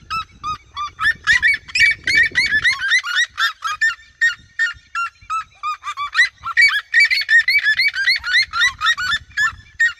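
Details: A flock of red-legged seriemas in open fields, singing around the recordist, chorus together with loud, rapid, yelping honks about two or three per second overlapping into a continuous clamour, with brief low rumbling at the start.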